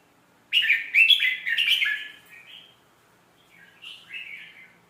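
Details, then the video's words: Red-whiskered bulbul, its melodious song played for young birds to learn: after half a second of quiet, a loud, rollicking run of chirpy whistled notes. It fades into softer, lower warbles and a final quiet phrase. "เสียงนกกรงหัวจุก สำนวนเพราะๆ เปิดสอนลูกนก"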